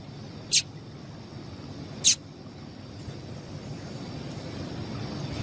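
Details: Female yellow-bellied seedeater calling, a call used to excite and stimulate males: two sharp, high, very short chips about one and a half seconds apart over a steady faint hiss and low rumble.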